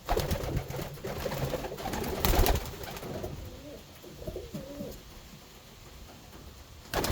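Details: Racing homer pigeon cooing: low, rolling, throaty notes that rise and fall in short phrases, clearer in the middle, with bursts of scratching and rustling before and a sharp knock at the end.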